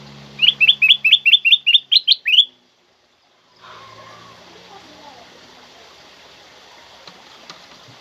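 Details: Loud, clear black-crested bulbul song intended to stimulate pet birds: nine rapid, rising whistled notes in a regular burst, a sudden silence, then faint background hiss with soft distant chirps.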